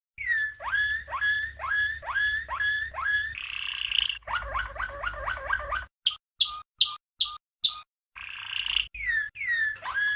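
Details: Champion Malinois Waterslager canary from 1997 in training song for young birds: repeated bubbling, falling water-notes, a short roll, rapid clipped knocking notes, then the gurgling phrases return.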